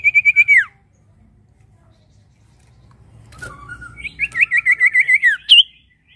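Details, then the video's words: High pulsed trill from a prinia, played as a singing lure for other birds. It opens with a short downward-ending run, then after a pause comes a wavering series of rapid notes and a sharp final chirp. "Pancingan Burung SIRTU Gacor Ombyokan Pasti Ikut Gacor"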